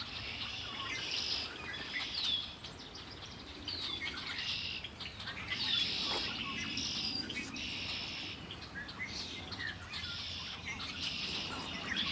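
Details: Lakeside chorus at Lake Erie: many birds chirping in short bursts roughly every second, some thin descending whistles among them, over a soft low background hum.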